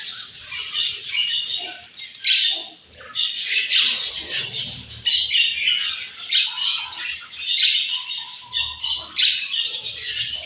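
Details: Budgerigars squawking and chirping at feeding time in the morning, harsh grating notes mixed with warbles, repeated in quick pulses by several birds.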